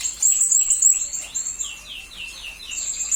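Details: Blue-crowned hanging parrot in a training master for magpie-robins and leafbirds. Rapid shrill squeaks, then a string of lower down-slurred notes, ending with more high chatter.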